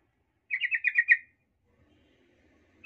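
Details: Provoking lure for other male sooty-headed bulbuls: one burst of about six quick bubbly notes lasting under a second, then quiet with the start of another note.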